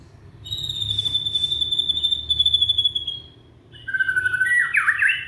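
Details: Young white-rumped shama from Indonesia, used to coax silent shamas into singing: a long thin high steady whistle held for about three seconds, then a lower whistle rolling into quick tumbling notes.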